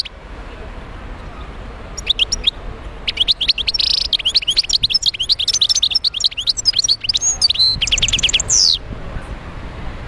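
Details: Wild European goldfinch singing in Médéa: after a quiet start, a long, rambling stream of rapid metallic twitters, liquid chirps and short buzzy trills, ending with a descending slur.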